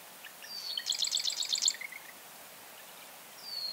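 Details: Marsh wren singing a fast mechanical rattle of bright high notes, roughly a second long, introduced by a thin whistle and followed by soft buzzy notes, with another thin whistle near the end.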